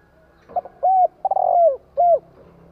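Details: Spotted dove used by bird keepers as a lure for wild doves: a soft note, a mellow coo, a stuttering lead-in swelling into a drawn-out falling coo, then a final brief coo, over faint low hum.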